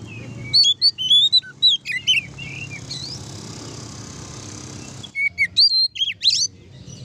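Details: Ngeplong song of an oriental magpie-robin, aimed at making other magpie-robins excited and vocal: chattering whistled phrases, a hissy pause of about three seconds, then more sharp upward-sweeping whistles.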